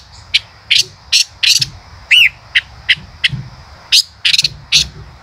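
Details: Male common rosefinch gives dense, sharp chip notes in quick bursts, with a single curling whistled note near the middle and a faint continuous high tone behind.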